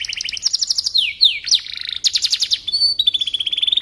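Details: Domestic canary singing nonstop, a recording meant to teach white-rumped shamas: bright staccato trills, sweeping whistled slides and dense rattling bursts follow one another without pause.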